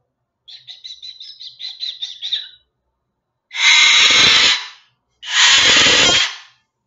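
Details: Moluccan cockatoo, a rescued sanctuary bird, gives a rapid run of about eight chattering notes, then two harsh, very loud screeches of about a second each, its painfully loud "murder bird" screech.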